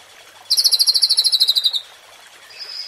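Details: Shama song used to rouse Indonesian contest birds: a rapid, dry, even trill of high notes lasting over a second, followed by a faint high whistle.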